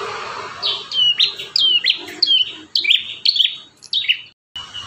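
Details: Vigorous song of a bar-winged prinia (prenjak tamu), one of five variations kept as training material for caged prinias: a steady run of high, bright, downslurred whistles with quick flicked starts, about two per second, ending in a short gap.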